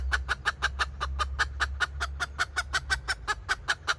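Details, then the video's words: Decoy hen red junglefowl giving a cackling call: a rapid, steady run of short clucking pulses, about five a second for four seconds, over a low rumbling hum. "แม่ต่อสายกะตาก poj qaib tsauj zoo"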